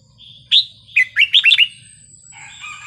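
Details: Red-whiskered bulbul giving a wild-style song meant to rouse listening birds: one loud slurred whistle, then a quick run of four bubbling, rising-falling notes and a softer trailing warble, with a faint low hum.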